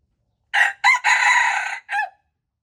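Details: February 26, 2025 recording of a wild red junglefowl rooster: a single loud crow in four segments, two short bursts, a long rasping centre and a brief downward final note, surrounded by silence.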